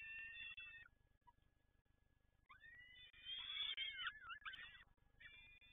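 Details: Peregrine falcon at PGE Toruń gives strained, nasal cries. A short burst opens, then a quieter gap, then a loud cluster of overlapping wavering and warbling calls, ending in more clipped cries.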